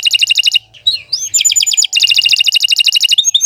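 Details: Canary song with rapid, bright repeated chip notes in fast trills, broken by a few upslurred whistles, then another long fast trill of sharp metallic notes.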